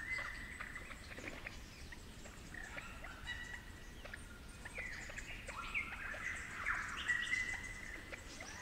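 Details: Extended complex melodic phrase of a Superb Lyrebird with the Werrikimbe 'flute' accent: a run of whistled notes jumping between pitches, dense and varied, growing louder toward the end in cool forest ambience.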